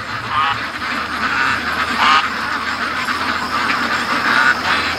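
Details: Free-range domestic ducks, a big flock heading home from the lake, filling the air with a steady babble of quacks; a few louder nasal quacks rise above the mass at intervals.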